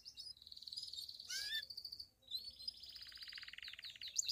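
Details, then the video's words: Pied Belgian canary giving its 'campainha' bell song, said to stimulate other canaries and females: a sustained high trill, a brief harsh burst, then a rolling lower trill, against faint background noise. "Canário Belga canto CAMPAINHA (sing bell belgian canary)"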